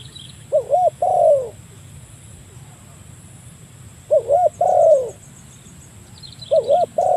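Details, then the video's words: Spotted dove calling to a rival, used for luring birds; three phrases of paired looping coos followed by a drawn-out falling note, about three seconds apart, with faint high bird chirps. "burung tekukur memanggil lawan, mikat burung tekukur."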